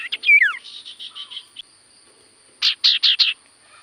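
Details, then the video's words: Common Iora singing actively in the sirtu style: a few sharp whistles and a falling slur, then a soft buzzy run of notes, a pause, and four loud buzzy bursts in quick succession. "Burung sirtu cipoh gacor suara paling Top cer sirtu cipoh diam langsung nyaut"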